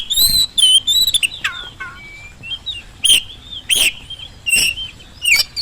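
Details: Oriental magpie-robin lure song for birds that rarely sing: loud whistled phrases, several down-slurred notes, and abrupt harsh bursts repeated at short, uneven intervals.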